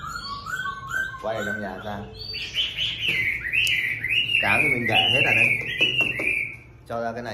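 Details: Chinese hwamei singing at the start of a new day: after a man's voice at the opening, loud, varied whistled phrases and rapid trills sweep up and down, with rich rolling notes dominating the second half.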